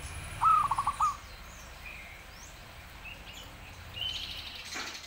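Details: Zebra dove in active song: a single slurred coo breaking into quick trilled notes near the start, then faint scattered higher chirps from other birds and a soft rustle amid background hiss.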